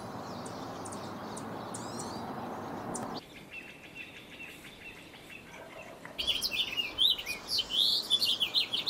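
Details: Pine siskin in a backyard in the Sierra foothills, California, on 10 April: quick, high twittering chirps in rapid bursts near the end, after steady rushing background noise and a quieter pause.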